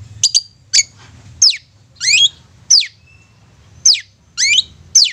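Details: Long-tailed shrike lure song for stirring mute shrikes: spaced sharp downslurred notes and a few rough rising-falling squeaky phrases, about one every half second to second, over low hum.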